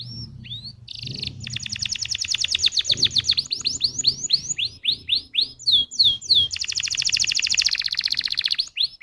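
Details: Canary singing as a lure to set off other canaries: a long, fast buzzing roll of repeated notes, spaced rising whistles in the middle, and another dense trill near the end.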